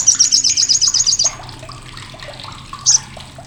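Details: An olive-backed sunbird (sogok ontong) rattles out a short, loud chatter of about ten rapid, sharp, high notes over a second, the harsh call used to tutor contest birds, followed by quiet twitters and one more high chip.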